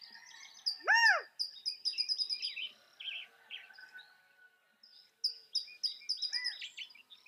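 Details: A California quail sounds one loud, harmonic, rising-then-falling note, and a softer echo of it follows some five seconds later, amid busy high-pitched chattering from many small birds.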